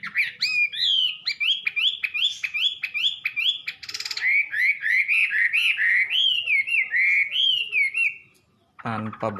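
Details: Wambi giving a long, steady series of looping whistled notes, repeated several times a second, with a short buzzy break midway. A voice speaks at the very end.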